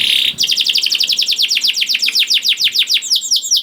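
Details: Young canary singing to prompt other canaries to join in: after a short buzzy note, a steady rapid trill of downward-sweeping notes repeats several times per second for over three seconds.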